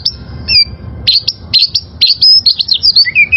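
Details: Song of a wild-caught oriental magpie-robin for training caged birds: long thin high whistle, then rapid loud bursts of varied chirps and slurred whistles, ending in lower falling notes; little background noise.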